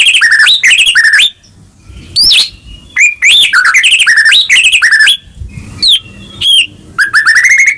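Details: White-rumped shama in full song used to prompt a quiet caged bird: quick repeated phrases of bright whistled notes jumping up and down, sharp upward flicks and a closing rising whistle, with short silences between bursts.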